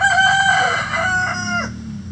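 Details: A chicken in a coop of mixed egg-laying breeds lets out a loud, rich, prolonged call. It wavers briefly, then bends downward and ends abruptly, with a faint low hum behind it.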